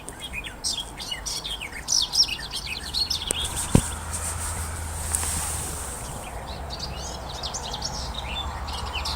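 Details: Garden warbler (Sylvia borin) song, played during Essex's May birdwatch: a fast, sustained, mellow warble like a sped-up blackbird, in about three-second bursts. A second bird, or the same bird, may answer. Other birds sing faintly behind a steady hiss.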